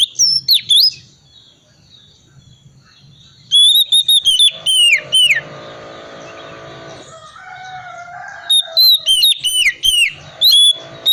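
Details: Lure song of a calm-type Oriental magpie-robin in full 'isian' style, meant to set reluctant magpie-robins singing: bursts of bright whistled downslurs and chips at start and end, a quieter middle stretch with murmuring background sounds.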